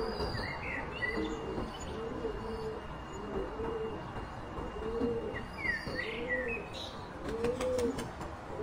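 White-quilled rock pigeon giving a steady series of short, soft, low coos, roughly one every second, while other birds chirp and whistle higher in the background.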